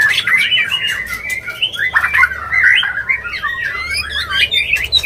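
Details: White-rumped shama mating call, used to bring a bird into breeding condition, delivered as continuous scratchy warbling mixed with slurred whistles and clicking notes.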